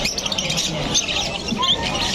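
Budgerigars chatter in a dense, continuous stream of high scratchy chirps and warbles, with a few brief whistled notes over a steady background hum.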